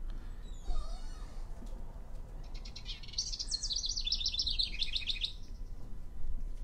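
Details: Male House Wren singing loudly around the edge of his territory after stuffing nest boxes with sticks, to attract a female and warn off other males; a rapid, chattery, rambling burst of high notes lasting about three seconds, trailing downward at the end, over low rumbling background noise.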